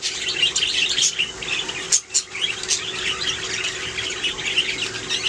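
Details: Budgerigars chirping in a steady high twittering warble, broken by a few sharp squeaky notes around the two-second mark, with a faint low hum underneath.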